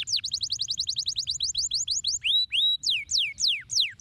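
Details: A canary sings a fast trill of repeated downslurred notes, then slower sweeping whistles and one held note, a steady song meant to stimulate other canaries to sing.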